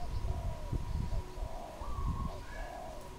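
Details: Cooing of a wild dove recorded in Cambodia in April 2020: low, rounded hooting notes that rise and fall, given in a loose series against low rumbling noise and a faint hum.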